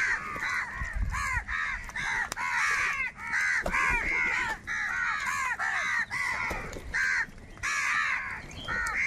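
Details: Huge numbers of crows feeding noisily fill the air with a dense, unbroken wall of harsh, repeated caws that overlap one another.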